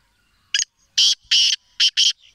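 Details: Rasping call of a black francolin in Sindh, Pakistan: one short sharp note, a pause, two drawn-out grating notes, then two more shorter harsh notes in quick succession, all loud against a quiet background.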